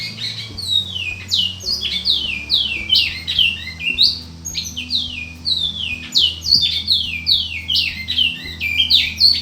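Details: Captive-bred male Large-billed Seed-Finch (Bicudo), presented as a prospective champion songbird, singing a rapid, continuous string of high, clear whistles that slide downward, tightly packed and loud throughout, with a steady low hum underneath.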